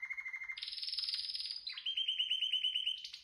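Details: Canary singing a continuous roller phrase: a lower rapid trill, a long high buzzing roll, then a run of evenly repeated sharp chirps about eight per second, clean background.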